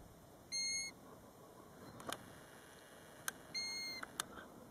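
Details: Two clear, mournful single whistles from a European golden plover near its nest by a roadside at Båtsfjord, about three seconds apart, with a few sharp clicks between them.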